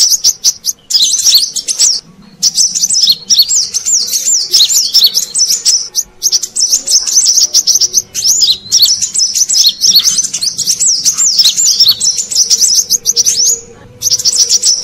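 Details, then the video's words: Brown-throated sunbird lure sound for catching wild birds: almost unbroken, high, thin chattering of rapid twisting notes lasting about fifteen seconds, with only short breaks near two and fourteen seconds. "Suara Pikat Burung Kolibri Kelapa Manggar"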